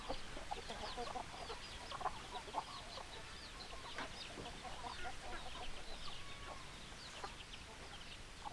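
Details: Flock of chickens with soft, scattered hen clucks and brief higher notes, steady and overlapping across the whole stretch under a faint hiss.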